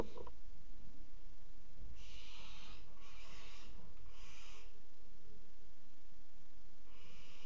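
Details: At a water-tower nest box on 5 February 2018, a barn owl mating on the box edge gives a run of three rasping hisses in quick succession, then a pause and one more, over a constant low rumble.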